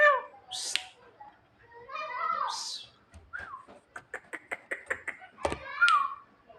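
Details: Javan myna imitating a person's cough: meow-like slurred calls and hissy bursts, then a quick series of evenly spaced clicking notes and a final rising-falling whistle.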